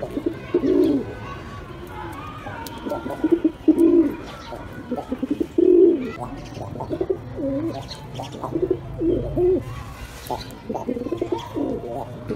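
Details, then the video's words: Pigeons cooing repeatedly over twelve seconds, low throaty coos arriving every second or two with stuttering notes between them and a steady low hum behind. "Gerçek Güvercin Sesleri"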